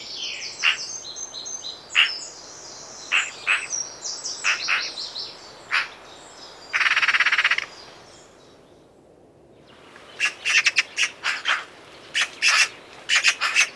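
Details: Eurasian magpie uttering dry, harsh clicking notes singly and in bursts, including a dense rasping rattle midway, with thin high-pitched calls of other birds mixed in and a brief quiet gap.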